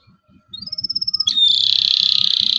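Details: Local canary singing for young canaries to copy: a thin whistle rising then held, breaking into a loud buzzy trill sustained to the end, over faint low rhythmic thumps.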